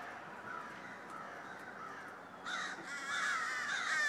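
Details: A noisy flock of crows calling just before snow began to fall on Friday, December 13; quieter at first, then harsh, overlapping caws swell in loudness over the final second and a half.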